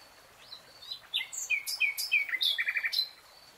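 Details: Nightingale in a lush green forest: slurred whistles open the phrase, followed by varied sharp chirps and a quick run of repeated clicking notes, all high and bright.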